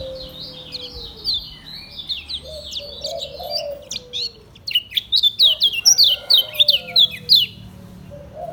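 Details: Caged lemon-bellied white-eye of Lombok in ngejos selow song: a steady flow of high twittering down-slurs building into a fast, loud burst of sharp repeated chirps, with soft low wavering tones underneath.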